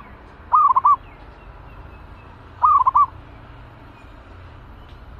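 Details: Zebra dove kept in a cage and ready for use as a decoy; trilling coos with a short rolling pattern, repeated about every two seconds against steady low noise.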